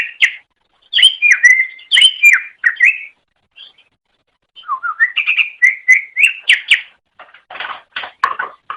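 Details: Masteran track of a greater green leafbird, meant for pet birds to learn from: fluent whistled phrases sliding down in pitch, a pause, then rising notes and harsh chattering bursts.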